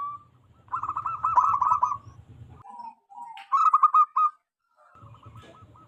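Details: Wild local zebra dove with a loud, strong voice, used as a lure for wild zebra doves: rapid bubbling coo trills, broken by short pauses, with a low hum underneath.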